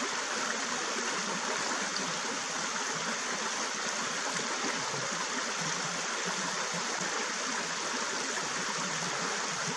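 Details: Steady rushing and trickling of a stream fills the whole recording, with no animal calls heard.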